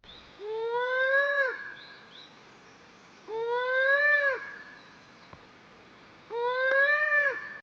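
Satyr tragopan giving three loud, drawn-out wailing calls, each about a second long with a slight rise and fall, spaced roughly three seconds apart.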